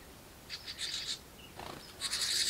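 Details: House wren nestlings in a birdbox, begging as a parent brings food, give two bursts of high, raspy, buzzy begging, a hissing chorus with a brief lower rustle between the bursts.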